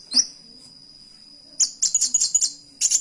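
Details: Kolibri wulung (Van Hasselt's sunbird) in canary-imitating song: a lone sharp chirp, a long pause, then rapid high twittering notes and short buzzy trills in quick clusters, with a constant faint high tone behind.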